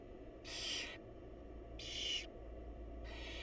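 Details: Barn owl mother and young calling: three long, rasping hiss-like screeches, each roughly half a second, spaced over a second apart, against constant low-pitched background hum.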